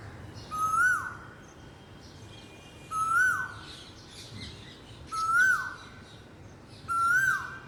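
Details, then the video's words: Asian koel giving four upslurred whistled calls with falling tails, roughly two seconds apart, with soft background rustling between them. "KOYAL BIRD CALLING"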